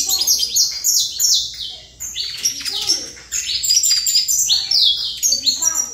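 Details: Saffron finch in Trator style, continuous torrent of high, ringing chirps and downward slides, grouped into energetic phrases with one short break.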